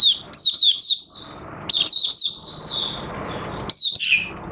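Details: Recorded 30 August 2022, an Oriental white-eye restarting its song with nearly complete white feather pigmentation gives three short bouts of high, sliding chirps, the final one dropping lower in pitch.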